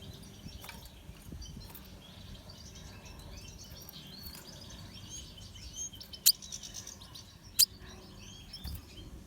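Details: Pastel-mutation red siskin giving a soft, high, scratchy twittering song of rapid chirps and trills, with two sharp clicks near the end and a steady low hiss behind.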